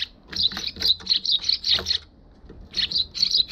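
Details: Eurasian tree sparrows flying in to a balcony on 1 December 2021, captured with a GoPro HERO6; a fast, continuous chatter of sharp high chirps, pausing briefly before resuming.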